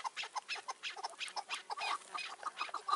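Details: Chukar partridge in May 2024, caged decoy and wild partridges during trapping: brief run of rhythmic, clipped chuk notes, steadily repeated, slightly softer than nearby calls.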